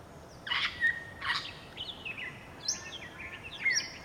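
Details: Grey Parrot (Psittacus erithacus erithacus) at Entebbe, Uganda, in January 2025: two rough, noisy squawks, each followed by a clear steady whistle, then a run of quick varied whistles, some swooping up and some dropping, over a quiet background.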